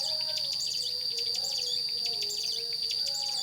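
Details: Young bar-winged prinia starting to sing, kept as a training lure for white-rumped shamas, oriental magpie-robins and greater green leafbirds; rapid high chirpy phrases repeat back to back over a steady high tone, with faint low wavering tones beneath.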